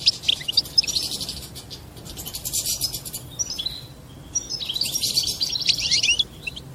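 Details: Goldfinch mating song said to prompt a female into mating posture: bright, scratchy twittering phrases in two main bursts, quick jumbled high notes with a brief pause between them.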